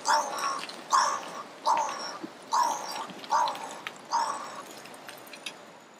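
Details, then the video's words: A crow singing, giving six harsh, hoarse caws at a steady pace of about one per second, each nasal and slightly drawn out, the last ones fading softer against a quiet background. "Crow singing for me / Kråkan sjunger för mig"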